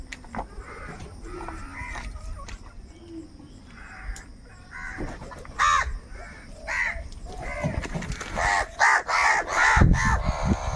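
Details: A flock of crows fighting for food starts with scattered hoarse caws that build into a dense, overlapping chorus of harsh calls, rapid and noisy toward the end.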